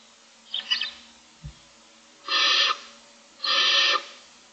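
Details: Barn owl chicks in a nest box, one of six owlets about 25 days old, begging for food in the morning in 2024: two long, harsh, rasping hisses about a second apart, after soft scratchy sounds and a dull knock.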